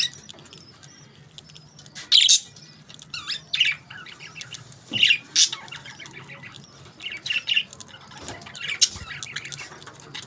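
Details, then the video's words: Budgerigars eating their favourite food; scattered short squawky chirps and chattering bursts, a few louder harsh notes around two, five and nine seconds, with faint rustling between. "Budgies Enjoy Their Favorite Food"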